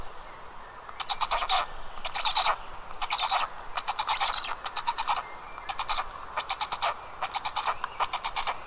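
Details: Black stork chicks in their nest in Karula National Park, Estonia, recorded by a round-the-clock nest camera on 29 May 2022 at 19:40, calling in two distinct voices: harsh, raspy pulsed bursts repeated in quick rhythmic series, about once per second.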